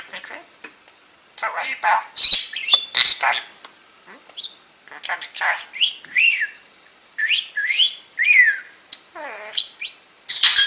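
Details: Pet budgerigar on a woman's shoulder, talking and talking as she sorts peridot stones: a long stream of raspy warbles, buzzy bursts and sweeping whistled notes, with gemstone clinks in the background.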